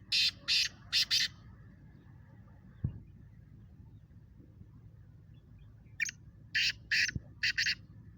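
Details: Competing in a calling contest, a speeder black francolin repeats its harsh phrase twice, each a burst of about five rasping notes, with a long gap and two faint clicks between them.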